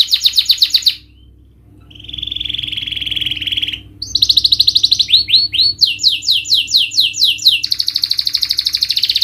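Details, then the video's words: Canary song played as a lure to stir a reluctant, stressed bird into singing: rapid rolling trills, a sustained buzzy trill, then quick repeated upswept whistled notes and a fast high rattle, with a faint steady hum beneath. "Pancingan Kenari Naikin Emosi dan atasi Burung males bunyi"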